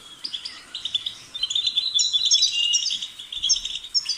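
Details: European goldfinch singing a fast, jangling run of tinkling chirps and twitters, bright notes clustered high and repeated rapidly with short buzzy trills throughout.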